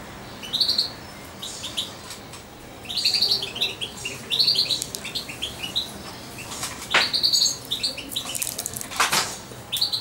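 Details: A young European goldfinch, about two months old and hand-fed by syringe, gives short bursts of high, liquid twittering notes, with sharp clicks and knocks from handling or a cage in between.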